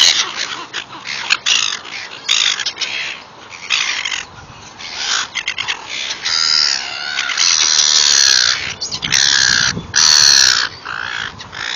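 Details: Gulls crowding for food, letting out many rasping, scratchy cries that overlap. A quieter, patchy start builds into longer, louder squawks toward the end.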